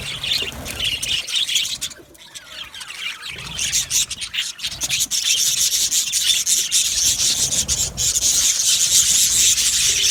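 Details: Budgerigar colony in an aviary, described as happy, chirping: a dense, continuous wash of high buzzy chirps and twitters. It dips briefly into quieter patches near two and five seconds, then swells back to full volume.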